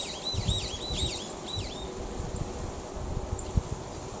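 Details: A Brown-eared bulbul sings, a slightly noisy song of shrill, slurred whistles in quick dips and rises, about two a second for two seconds, over a steady low rumble and buzz.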